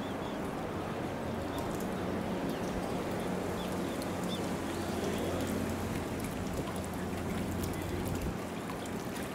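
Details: Steady trickling and splashing water with a low mechanical hum underneath, in the flamingo enclosure at Yama Jigoku hot spring in Beppu on 4 December 2019; no animal calls stand out.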